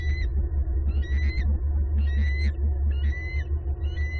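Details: Wild female bald eagle at her nest tree in Southwest Florida on 3 March 2022, defending territory and offspring by chasing off a sub-adult eagle: thin, high, slightly rising whistled calls repeated about once a second over a heavy, constant low wind rumble.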